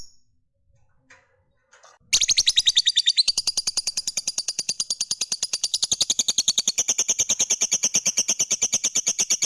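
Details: Lovebird of the fighter type: after two quiet seconds with a few faint ticks, a long ngekek trill bursts in, a fast, steady stream of high metallic chirps that runs to the end without a break.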